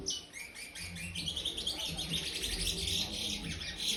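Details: Aviary-kept chestnut-bellied seed finch chick, five months old and still brown, giving its praia-style song: a steady stream of bright, rapid high chirps and short slurred whistles over a low background hum.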